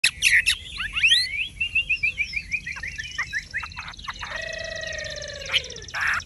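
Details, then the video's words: Caged, tame Chinese hwamei with golden-yellow plumage, singing freely as its cage is shaken: a run of quick, varied whistled and slurred notes, then a long steady tone with a low hum below. A man talks afterward. "Họa mi thuần đét chân mỏ lông lá vàng ươm - Hót như máy"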